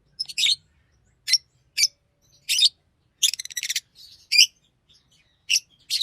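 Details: Green Fischer's lovebird sings with bright, piercing chirps and a fast stuttering run of clicks midway, then more single squeaks.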